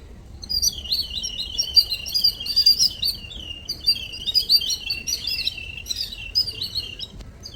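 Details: Little birds chirping as morning visitors: a dense, continuous chatter of high, quick twittering notes overlapping throughout, rising and falling in short bursts, with several birds calling at once over a quiet background.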